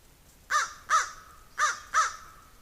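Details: Crow cawing while a squirrel goes after a raven: four harsh, arched caws given in two pairs, each pair of quick calls separated by a short pause.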